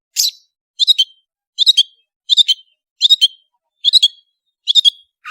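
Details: Long-tailed shrike (cendet), a prolific singer on a training recording: harsh, buzzy chirp bursts, each two or three quick notes, repeated roughly every three-quarters of a second, ending with a lower rasping note.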